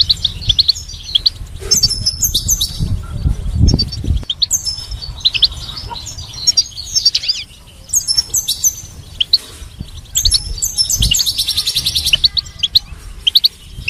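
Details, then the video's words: A goldfinch sings a bright, fast run of tinkling twitters and buzzy trills in bursts, over a low rumble of background noise. "goldfinch chirps and stimulates with attractive high-quality melodies"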